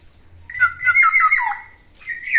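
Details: Black-naped oriole aged ten years, still singing eagerly: one mellow, rolling phrase of linked whistled loops that falls toward its close, followed by the start of a second note, with low background hum.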